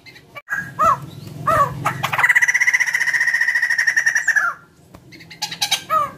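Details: White-crested laughingthrush singing as a prompt for other birds: a few short rising notes, then a long harsh rattling phrase of about two seconds, followed by scattered squawks.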